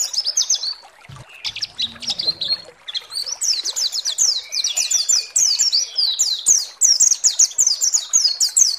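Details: White-eye song meant to provoke rival white-eyes: a few scattered high chirps and a brief low rustle, then a sustained, rapid chain of piercing downslurred notes.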